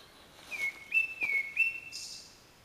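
Japanese Thrush singing a quick run of four clear, slurred whistles that rise and fall within about a second, ending in a faint, hissy high note.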